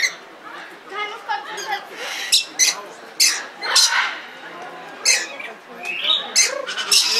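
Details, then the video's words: At Belgrade Zoo, Serbia, in 2022, a red lory (Eos rubra) utters a run of short, harsh squawks and chattering notes spaced about half a second to a second apart, with low background noise throughout. "Papagaj crveni lori│Red Lory│Eos rubra"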